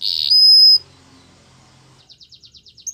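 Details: Canary giving a short buzzy burst followed by a long pure steady whistle, a pause, then a soft series of about eight quick repeated chips and a final brief high note.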